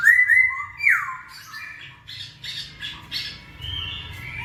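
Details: Masked laughingthrush singing to prompt idle birds to sing, opening with loud pure whistled notes that swoop downward, followed by a run of harsh chattering bursts and a soft rising whistle, low hum underneath.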